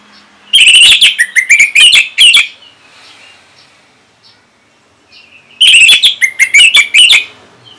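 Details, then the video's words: Captive orange-headed thrush from Singaraja, Bali, its song played to coax other birds into answering: two long, loud phrases of fast piercing trilled notes separated by a few seconds of near silence. "ANIS MERAH ini Mampu Membuat Burung Bahan Maupun Macetan Bisa Langsung Nyaut Ngeplong"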